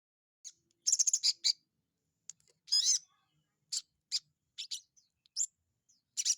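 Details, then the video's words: Sogon bird singing while held in the hand, lively chattering song of sharp high chirps and short trills in quick bursts with brief pauses between. "BURUNG SOGON GACOR DI TANGAN"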